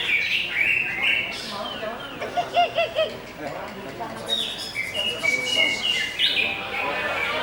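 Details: Greater green leafbird singing in uneven bursts: clear whistled notes and chirps, a few lower wavering whistles repeated in quick succession, then a livelier high chatter.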